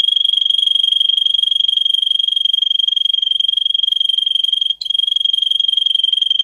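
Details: Song of the Russian singer canary, bred for singing, in a recording for teaching canaries: a steady high rattling trill held for over six seconds, with one brief break near the end.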